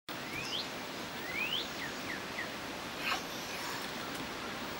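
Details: Cardinal, 30 May 2012, gives two clear rising whistles about a second apart, then a few short slurred notes, over a steady hiss of background noise.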